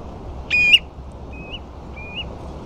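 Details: Ringed plover on sandflats at Ferrybridge, Portland, alongside a few dunlin: one loud, short, rising whistled note ending in an upward flick, then two fainter, softer whistles, over a steady low background rumble.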